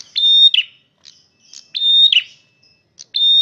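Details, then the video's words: Male red prinia with a loud song of steady high whistled notes, each ending in a rough buzzy flourish, three phrases in quick succession with soft chips between them. "suara burung prenjak merah jantan gacor volume keras"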